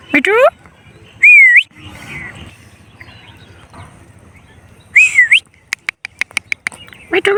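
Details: Male parrot talking: loud rising-and-falling whistles, a burst of speech-like chatter, then a run of sharp clicks and another whistled phrase, with a low hum beneath.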